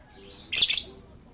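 A lovebird gives one shrill, harsh screech in two quick pulses, lasting about a third of a second, with a faint low background hum.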